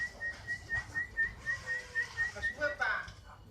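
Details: Canary of the kenari fighter style: evenly spaced whistled notes at a steady pitch, ending in a louder, fuller phrase.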